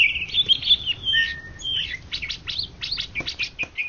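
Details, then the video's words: Champion greater green leafbird from Indonesia, 2013–2014, delivering sweet warbling whistles, a long level note, then rapid chattering sweeps repeated about twice a second. "Cucak Ijo Juara satu se Indonesia Raya 2013 2014"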